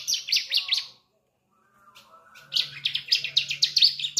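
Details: Young ciblek, a bar-winged prinia just beginning to sing, whose song serves as a trigger for adult birds: fast high scratchy chirps, about a second of silence, then another brisk twittering run, roughly four notes per second.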